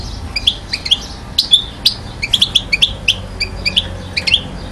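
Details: European goldfinch, one year old, from Mouzaia, Algeria, 2012. Short, scattered high chirps and tinkling notes come at uneven intervals over low background hum.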